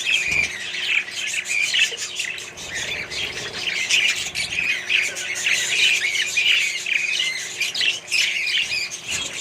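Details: Australian budgerigars in a mixed parrot colony, many birds calling together in a steady wash of scratchy chirps, squawks and warbles with no pause.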